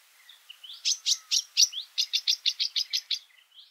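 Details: Feeding party of Varied sittellas chattering near Kinchina/Mannum, South Australia, a rapid run of about a dozen high, thin chips, roughly five per second, with faint soft whistles, perhaps a nearby Singing Honeyeater's single notes.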